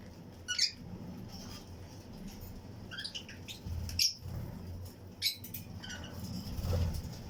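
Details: A colony of Fischer's and Lutino lovebirds in an aviary flight cage, chirping along with other birds, gives sharp, high, squeaky chirps singly and in short bursts about once a second, over a low background rumble.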